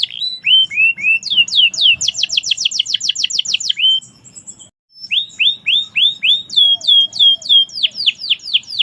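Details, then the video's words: Lively canary song with rolling runs of descending whistles, a fast dense trill, a brief pause, then more sweeping down-slurred notes repeated steadily. "Kenari merlok gacor"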